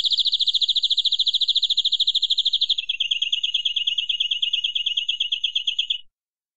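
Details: A local canary sings a fast, high, even trill of about three seconds, then drops slightly in pitch into a buzzier trill lasting another three seconds. No other sounds.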